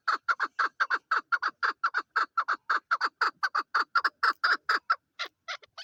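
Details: A female chukar partridge gives a fast, steady run of harsh clucking chuk notes, about four a second, fading into a few softer notes at the end.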